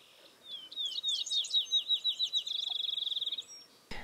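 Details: A male Field Sparrow defending his territory at dawn in savanna-like shrubby prairie at Crex Meadows, Wisconsin, sings clear, high, down-slurred whistles speeding into a fast, even bouncing-ball trill; a soft thump follows.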